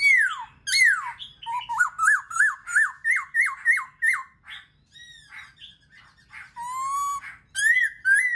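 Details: Black-throated laughingthrush song for stimulating other birds: ringing downslurred whistles, a brisk series of repeated hooked notes, a quiet gap with soft squeaks, then clear rising whistles.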